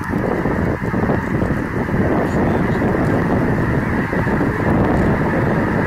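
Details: A large flock of snow geese flies in to land at Bosque del Apache National Wildlife Refuge on 7 December 2017. Their overlapping nasal honks form a dense, continuous roar, with heavy wind rumble on the microphone underneath.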